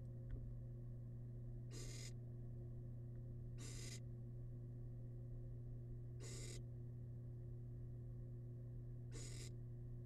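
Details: Repeated wheezy hissing from a wild barn owl chick at a rabbit-leftover meal in its nest box: four bursts at uneven intervals of two to three seconds over a steady low hum.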